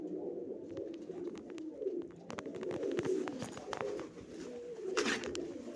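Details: Kept pigeons, with young birds said to fly for five hours, give a steady low murmuring coo throughout, overlaid by frequent sharp clicks and knocks.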